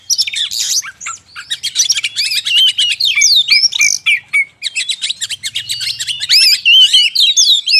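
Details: Lure song of oriental magpie-robin for attracting forest birds: rapid, crowded sequence of sharp chips, sweeping whistles and scratchy bursts, overlapping and almost continuous, briefly dipping quieter midway.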